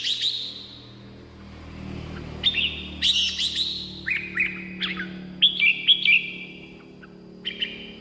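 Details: Red-whiskered bulbul song used to excite caged birds or lure wild birds: a string of short, chirpy whistled notes and sweet slurred phrases over steady low humming background noise.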